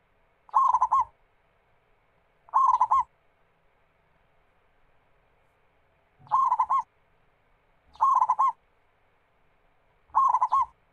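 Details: Local zebra dove singing to prompt other doves into song: five short, near-identical bursts of rapid rolling coos repeat at uneven intervals of about two to three seconds, with faint thuds under some phrases.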